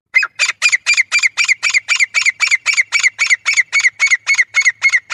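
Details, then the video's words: Grey francolin calling: a fast, steady series of harsh, squawky notes, about four per second, each with a bright ringing tone, running without pause through the whole stretch, with no other sounds. "گورا تیتر ۔۔۔۔۔ شکار کے لئے بہترین آواز | Grey Francolin"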